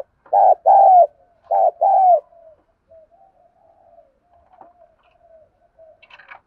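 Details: Spotted dove used as a decoy, cooing to incite rival wild doves. Two quick pairs of loud, low coos, then a long stretch of faint murmuring notes and a soft rustle near the end.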